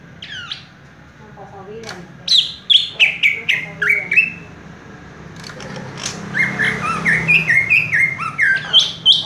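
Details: Greater green leafbird (cucak ijo), a kept bird offered for sale, singing in fast, tight, rolling 'raja tembak' style from one perch: sharp downslurred whistles and chattering notes in quick bursts, with a low background hum.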